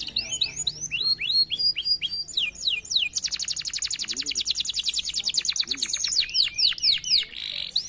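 A canary sings fast, continuous phrases of high whistled slurs, then breaks into a rapid rolling trill of about four notes a second before returning to looping whistles.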